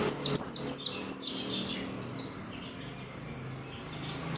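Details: Persistent song of an oriental white-eye, meant to prompt other white-eyes to sing: four loud, piercing downward-sliding notes in quick succession, then softer fading notes and near quiet before a final sharp note.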